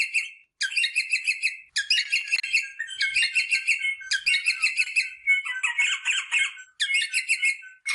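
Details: Mating-stimulation sound of a rosella: bright, harmonic chattering phrases of about a second each, separated by short pauses, with one lower warbling stretch in the middle.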